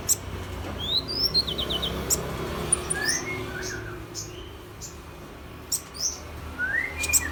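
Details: Mrs Gould's sunbird singing in imitation of an oriental magpie-robin: clear rising whistled sweeps, a quick descending trill of notes, and slurred falling whistles, spaced irregularly, with steady low background hum.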